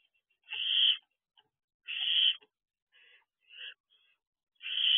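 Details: Barn owl owlets outside their nest box at 3:00 am on 2 June 2023: loud, harsh rasping screeches about half a second long, repeated every second or so, with fainter shorter rasps between.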